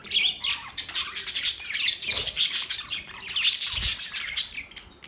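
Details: Budgies chirping in a dense, nonstop chatter of high, rapid chirps, scratchy squawks and warbling notes that rise and fall in loudness throughout, with a soft low thump partway through.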